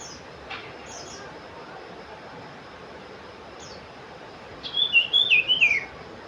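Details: Sooty-headed bulbul: after a long quiet stretch comes a short burst of bright, wavering whistles, several quick notes tumbling downward in pitch over about a second.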